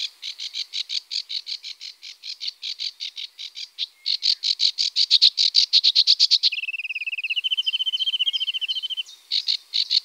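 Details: Great crested grebe with chicks at the Tovačov fishponds, Czech Republic, 2013–2014: a long run of rapid, high, piping notes, speeding up midway, then a sustained wavering high note before the quick piping resumes.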